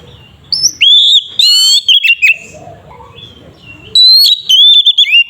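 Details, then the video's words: Oriental magpie-robin singing in a loud, full, nonstop style meant to rouse another bird into singing: clear whistled phrases and sharp slurred notes, some rising and falling, in bursts separated by short gaps, with faint low background noise. "Pancingan suara burung Kacer ngeplong sangat ampuh untuk pancingan Kacer bahan"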